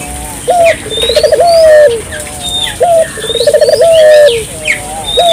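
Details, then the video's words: Barbary dove in full voice, meant to trigger calling in local doves: two deep coo phrases, each a brief upslurred note then a train of fast pulses easing into a long falling tone; faint bird chirps behind. "suara burung puter gacor,merangsang burung puter lokal ikut gacor"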